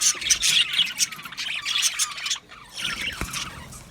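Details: Budgerigars in an aviary colony, a dense mix of squawks and chirps from many birds, bursts of high chatter with a brief lull near the middle.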